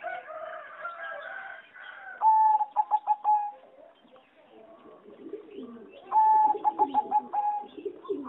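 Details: Aviary-kept singing zebra dove, a competition strain developed over sixty years from a wild mutation: two loud rapid stuttering coo phrases about four seconds apart, with softer cooing of other doves between and behind.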